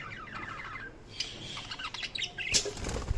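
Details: Budgerigar chirping: a run of short, bright, buzzy chirps in the first second, then scattered sharper notes and brief squawks toward the end, with wing flutter and other rustling.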